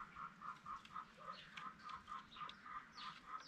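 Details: Rapid repeated honking notes, about four per second, from Spalding emerald peafowl at a peacock farm, with scattered higher squeaks and chatter of other birds behind.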